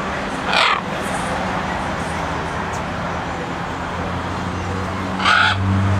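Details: A green-winged macaw at the zoo in Trinidad and Tobago gives two harsh, raspy squawks about five seconds apart, over a steady low mechanical hum.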